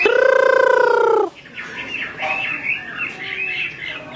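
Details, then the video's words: Female Chinese hwamei calling continuously to provoke an agitated male: opens with a loud, steady, nasal tone lasting over a second, then a soft jumble of quick whistled chirps and twitters. "Họa mi mái xùy liên tục, họa mi trống không yên"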